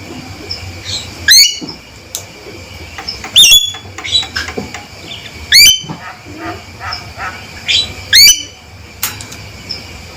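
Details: A male Javan myna, a loud and steady caller, repeats shrill squealing calls with bright upward-sweeping overtones about every two seconds, mixed with softer chattering notes.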